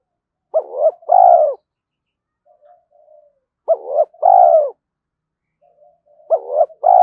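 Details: Early-morning spotted dove coos aimed at provoking fights and luring: three mellow phrases, each two short notes then a sustained coo, about three seconds apart, with faint quiet murmurs in between.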